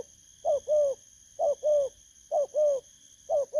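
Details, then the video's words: A recently caught spotted dove with a 'bầu' voice coos in paired notes, a short clipped note then a longer rounded one, repeated about once a second over a thin high-pitched hum. "Thổ cấn Bầu"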